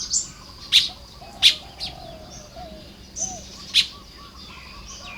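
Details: Baya weavers at work on their nests on a May morning in Lopburi, Thailand: scattered sharp high chips and thin buzzy notes over quiet background twittering.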